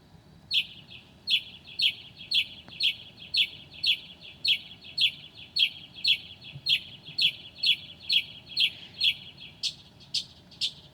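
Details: Northern mockingbird singing in the dark at 2 a.m., 9 July 2008, copying other birds. The same sharp, high chirp repeats steadily about twice a second for ten seconds and shifts to slightly different notes near the end.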